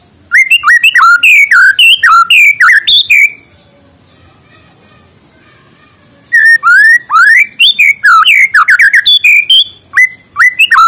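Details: White-rumped shama morning song used to coax reluctant shamas: dense bursts of varied whistled and slurred notes for three seconds, about three seconds of near silence, then a renewed burst of rapid rising and falling whistles.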